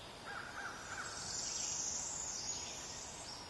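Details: Barred owlets, two fledglings out of the nest for about a week, while a parent tears chunks from a small possum to feed them: a raspy, hissing screech drawn out for about a second and a half over steady background noise.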